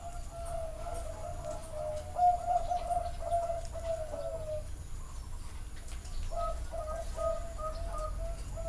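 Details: Live Zebra dove song from a bird farm in Chana, Thailand: several birds give trilled, bubbling coos that run together, one louder phrase sliding slightly downward, with a pause, then more coos, over a constant low rumble.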